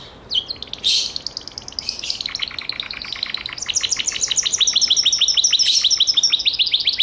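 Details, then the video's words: Gloster canary song opening with a few scattered notes and buzzy bursts, then building into a long, even trill of clipped notes that grows louder and faster toward the end. "CANARIO GLOSTER"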